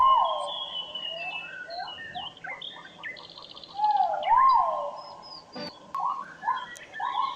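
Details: Haruai, the great argus, from the interior of Kalimantan: long steady mid-pitched notes, each opening with a brief upward arch, given at the start and again near four seconds, with a dense background of chattering and twittering birds.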